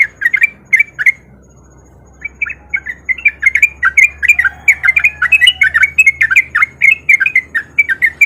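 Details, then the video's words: Sooty-headed bulbul lure song meant to make reluctant bulbuls sing along: a few brisk chattering notes, a short pause, then a sustained, lively stream of bubbly warbled phrases repeated rapidly without a break. "Pancingan Trucuk Gacor Biar Trucuk yang Malas Bunyi jadi Ikutan Bunyi"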